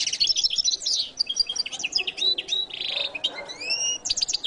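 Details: Varied goldfinch song: dense high twittering, a buzzy harsh phrase, then clear rising, drawn-out whistles and a final twitter.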